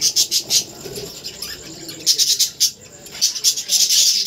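Budgerigars giving high, scratchy chirps and chatter in quick, uneven bursts.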